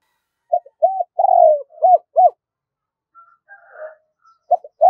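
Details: Decoy spotted dove in giọng đôi style: soft short coos, a rolling and slightly descending long coo, then two clipped, arched notes. Faint twittering follows, and the next phrase begins.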